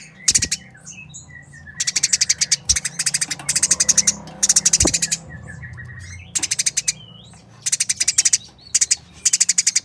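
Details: Harsh, speedy squabbling chatter of Eurasian tree sparrows in a fight, clear and close: repeated bursts of closely spaced buzzy chirps, a few isolated high notes, a low background hum.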